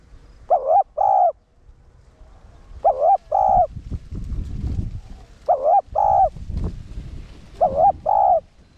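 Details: Decoy cooing of a spotted dove in the one-ending (1 hậu) style, used to stimulate newly caught caged males. Four pairs of mellow coos come at uneven intervals over a fluttering low rumble of background noise.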